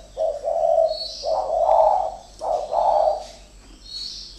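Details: A pair of captive decoy spotted doves contest each other with burry, low coos. Two long rolling phrases run close together, then the calling fades. A faint high squeaky note sounds several times.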